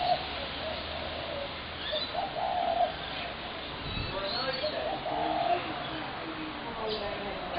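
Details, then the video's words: Spotted dove, 21 January 2017, calling with low, slightly throaty coo phrases about every three seconds; a dull thump midway and faint chirps of other birds behind. "Spotted dove horrendous racket"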